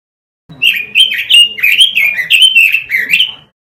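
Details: Robin song used as a masteran tutor recording for training caged birds: a rapid, continuous warble of slurred whistled notes that rise and fall, lasting about three seconds, with no other sounds.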